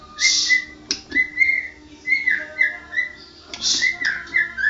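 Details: White-rumped shama, a prize-winning national champion bird singing: clear whistled phrases rising and falling, with short buzzy high bursts between them and a faint hum behind.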